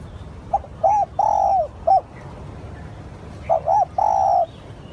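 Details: Spotted dove cooing as a lure for wild doves: one complete four-note phrase of short and long mellow hoots, a pause of about a second and a half, then the start of another phrase.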